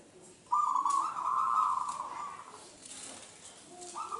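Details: Zebra dove, a wild local bird from Indonesia, singing as a lure for other doves: one long, evenly pulsed trilled coo lasting about two seconds, then a short start of another phrase.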